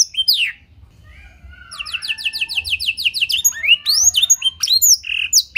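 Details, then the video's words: Canary singing blackthroat-style phrases in a clear voice, intended as master material for other canaries: scattered high whistles, a softer run of repeated rising notes, then louder quick sweeps. "Pancingan & Masteran Burung Kenari Isian Blackthroat Suara Jernih!"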